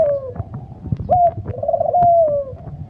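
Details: Spotted dove calling: a falling coo, then a rising note leading into a drawn-out, slowly descending coo, over clicks, knocks and low rumbling background noise.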